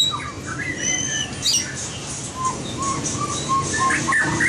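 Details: White-rumped shama practising competition song: scattered high whistles, then a row of short, mellow, low whistled notes about every half second over a steady hum.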